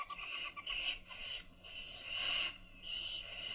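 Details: Baby owls being fed by their mother give drawn-out, breathy hissing screeches, several in a row with short gaps between them.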